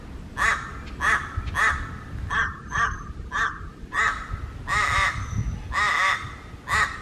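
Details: Harsh, quacking caws of a Papuan crow in Raja Ampat, repeated in quick pairs and singles about ten times, each note short and nasal, with a low rumbling background throughout.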